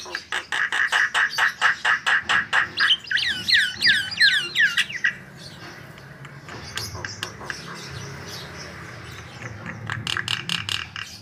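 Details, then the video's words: White-vented myna (jalak kebo) singing, used as a lure song: a run of rapid harsh chattering notes, then a series of looping whistled phrases, a quieter gap, and more clipped chatter toward the end. "Suara Gacor Jalak Kebo Untuk Pancingan"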